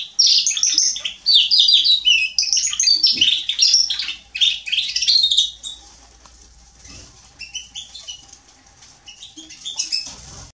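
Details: Male European serin singing on 27 October 2020, delivering a fast, high-pitched, jangling stream of buzzy twitters and squeaky notes for about six seconds, then quieter, thinner trills and chirps fading in and out toward the close.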